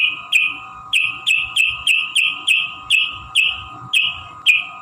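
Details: Sooty-headed bulbul, birdkeepers' lure song for caged bulbuls: bright, short phrases repeated roughly every half second, each starting with a sharp click and sliding down slightly, about ten in a row, with a faint background hum.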